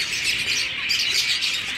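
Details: Brief burst of zebra finch chatter from a caged breeding colony, many high, short chirps piling on top of one another in a thick, continuous twitter.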